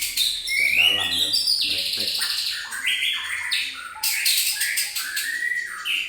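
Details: White-rumped shama song used to provoke other birds, a rich run of loud whistled and chattering phrases sliding between high and mid pitch, with harsh buzzy bursts near the end and faint low murmuring underneath.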